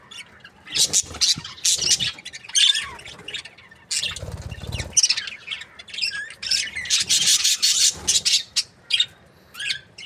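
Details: A breeding pair of budgerigars, described as happy, chirps in rapid high bursts. Harsh squawks mix with warbled chatter in near-constant clusters, with a short low rumble midway.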